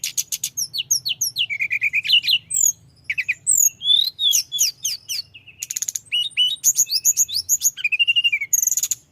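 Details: Mountain flowerpecker delivering a nonstop, energetic rolling song to stir rival birds, a rapid stream of very high ticks, slurred whistles and chattering trills with almost no pauses, soft hum underneath.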